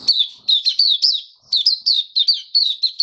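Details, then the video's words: Kept white-eye singing in warm humid weather, 23 March 2022: a continuous chain of high, slurred, falling twitters, each note closely following the last in a lively, jerky rhythm with a clean quiet background. "Mata Puteh Kitaro Video 1 buka sing"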